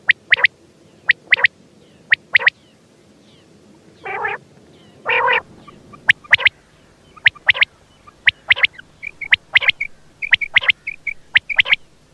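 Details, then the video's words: Quail giving sharp whistled notes in pairs, with two broad nasal bursts in the middle, then a busier run of quick clipped whistles and doubled notes toward the end. "Batair ki awaz quail Sound effect"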